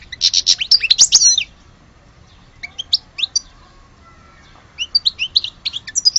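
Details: Algerian European goldfinch uttering a fast twittering burst, then scattered soft chirps and another run of bright, tinkling notes.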